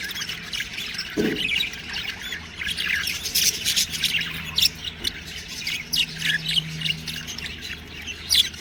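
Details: Young budgies mix scratchy squawks with bright chirps; one loud sharp note stands out early, and the steady twittering chatter continues behind it.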